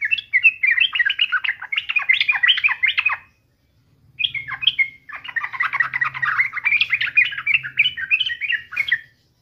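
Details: Sooty-headed bulbul in full, lively song, used as a daily lure to get other bulbuls singing: two long bursts of rapid, chattering, bubbly notes, the second after a short pause, with a faint low hum beneath.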